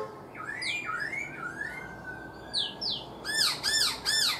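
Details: Black-throated laughingthrush, four months caged, gives a series of upward-sweeping whistles, then a rapid run of sharp, high, buzzy repeated notes at the end.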